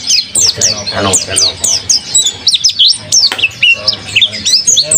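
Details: Kept mountain white-eye, described as singing vigorously (gacor), delivering a dense run of high, sharp chirps that swoop down and up, repeated rapidly with brief gaps; a short voice-like murmur sounds near the first second.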